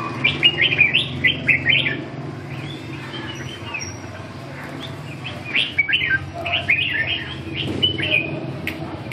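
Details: Chào mào, the red-whiskered bulbul, in a training session: clusters of quick, lively whistled notes in short bursts, pausing and resuming, with background hiss and low rumble.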